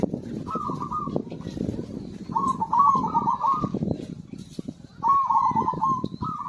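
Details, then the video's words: Zebra dove cooing, a bird kept for song and played to stimulate silent birds to sing: mid-pitched rolling, warbled coos in phrases about a second long, repeated every two to three seconds, over background knocking and low noise. "PERKUTUT GACOR AMPUH UNTUK PANCINGAN SUARA BURUNG MACET BUNYI"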